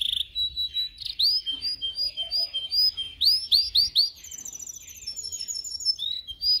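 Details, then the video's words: Canary song used in training: rapid rising whistled swoops in quick runs, followed by a fast, high rattling trill. "canario canary song"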